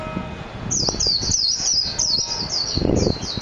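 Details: Japanese white-eye (mejiro) song: a rapid run of thin, high chirping notes in quick descending slurs. The notes come in bunches over about three seconds, with low rumbling and knocking noise underneath.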